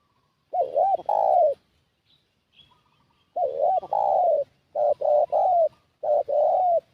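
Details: Decoy call of a spotted dove, used to draw wild doves in. Phrases repeat about every one and a half seconds, each two short looped coos then a drawn-out level coo. Faint high chirps sound between phrases.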